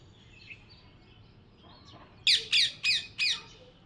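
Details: Parrot letting out four sharp, grating squawks in quick succession after a stretch of faint background chatter and soft distant chirps.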